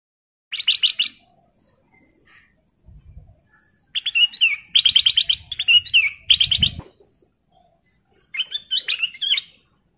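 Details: Male black-crested bulbul in breeding condition calling a female: bursts of rapid, buzzy chattering notes around 10 seconds long, repeated in several phrases with short gaps, plus faint soft twitters and a few low thumps.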